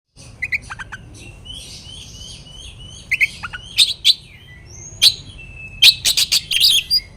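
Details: Oriental magpie-robin song used to provoke rival birds into fighting mood: scattered high chirps, whistles and sharp notes, sparse at first, then denser bursts of varied phrases in the second half.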